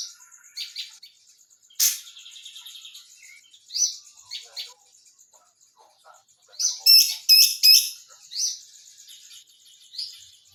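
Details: Female Grey-cheeked Bulbul in vigorous song: scattered sharp chirps and short trills, then a loud cluster of harsh, rasping notes in quick succession, with quieter chattering between phrases.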